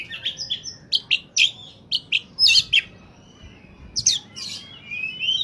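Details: Oriental magpie-robin singing at its best as a bird-catching lure: a rapid series of short sharp chips roughly every quarter second, then louder buzzy notes and drawn-out whistles.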